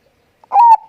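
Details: A single soft, clear, brief, mid-pitched coo with a slight rolling start from a Bangkok-type zebra dove (perkutut) in strong voice, a lure recording to prompt other kept doves to sing, in an otherwise quiet background.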